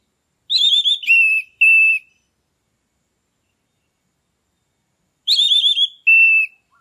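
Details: Captive orange-headed thrush, loud lure song to push stalled birds into breeding condition: a wavering whistled phrase followed by two flat clear whistles, repeated after about three seconds of silence.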